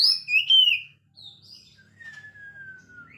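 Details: Oriental magpie-robin singing energetically with a ngekek-style variation; loud, bright whistled phrases and a warble, then a long clear whistle sliding slowly downward, ending with a brief rising note.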